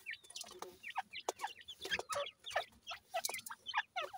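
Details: Several grey francolin chicks feeding and playing give quick, falling peeps, each with a lower undertone, in a steady stream of short notes about four per second over faint background hiss.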